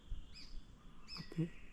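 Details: A few White-throated Honeyeaters flying across a gully in Australian wet sclerophyll forest give their soft 'mip' call: two high, short notes about half a second apart, with a man talking quietly over them.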